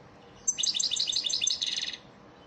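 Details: Training song of an elmacık European goldfinch for caged birds, heard as one continuous, rapid, sparkling twitter of jumbled high notes lasting about a second and a half.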